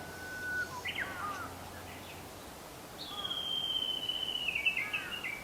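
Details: Japanese bush warbler singing on 22 April 2020 along a route between Zenshoji and Shofukuji temples in Japan: a low steady whistle, a quick falling flourish, then a long high wavering trill that slowly drops, over faint background hiss.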